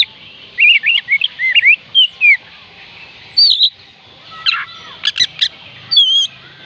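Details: Kacer, the oriental magpie-robin, singing to stir reluctant birds: a rapid run of looping, warbled whistles, then sharp high chips and quick descending notes in separate bursts.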